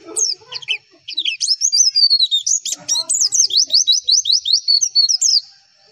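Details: Javan white-eye masteran song made to get replies: an energetic, uneven medley of high chirps and slurred notes building into a rapid, regular run of sharp, descending chips.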